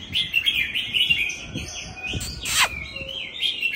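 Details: Loud song of an old forest Oriental magpie-robin: long, flowing whistled phrases holding a steady pitch, broken by one harsh sweeping note, with faint low knocks behind.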